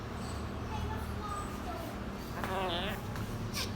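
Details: A pet African grey parrot says a short, wavering, voice-like 'hello' to its owner in the morning, a mimicked greeting over a low, steady background hum.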